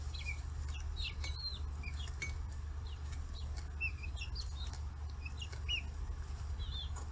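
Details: Forty-day-old chicks kept free-range in Kitahiroshima, Japan, crowding fish heads; sparse high, short downslurred peeps spaced irregularly, a few clicks and taps, and a persistent low droning hum.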